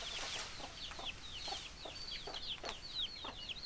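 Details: Chickens clucking in short, evenly spaced low knocks about every half second, beneath a steady stream of shrill, downward-slurred peeps from several birds.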